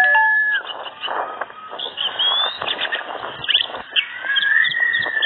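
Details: Orange-headed thrush singing incessantly, as if forgetting to fly: a fast, rambling stream of varied whistles, slurred notes and chattering phrases, almost without pause.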